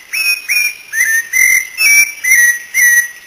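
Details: A Brazilian cocoa thrush (Turdus fumigatus) gives clear whistled notes, each swelling then leveling off, about two per second in a steady series of seven, with a faint hiss behind.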